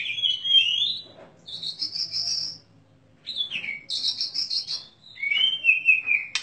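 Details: Champion contest Oriental magpie-robin, caged, singing clear separate phrases: a descending whistle, then a steady high buzzy trill, a falling slur, another high trill and a final downslurred whistle, with short silences between.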